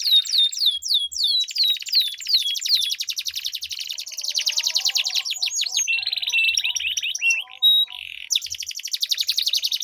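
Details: Canaries duel with long rolling song meant to draw silent canaries into singing: sweeping whistles lead into an extended fast roll, a buzzy stretch, a short pure tone, then more rapid trilling.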